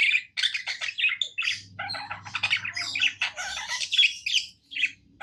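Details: Happy pet budgie in song, dense chatter of harsh squawky chirps and clicks in quick bursts with brief gaps, possibly one wing flutter, low hum beneath.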